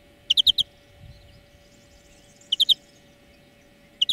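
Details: European greenfinch (Chloris chloris) song in short bursts of three or four bright, rapid chirped notes, repeated about every two seconds over a faint steady electrical hum.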